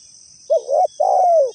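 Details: A single spotted dove phrase for luring: a quick warbling double coo followed by a longer, smooth coo that slowly falls, with a faint steady high hum behind.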